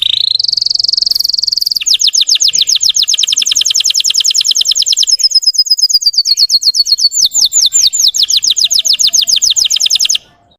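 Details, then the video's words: Russian-type canary performing a lure song to excite trainee birds: a steady high whistled tone, then a long, fast, even series of downslurred notes that slows slightly before stopping abruptly. "PANCINGAN SUARA BURUNG KENARI RUSIA UNTUK MANCING EMOSI BURUNG BAHAN"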